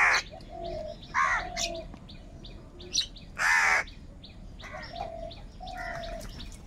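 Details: Crows squabbling over food: harsh, raspy caws, a short one early and a longer loud one midway, set against busy background chirps and drawn-out whistled notes from other birds.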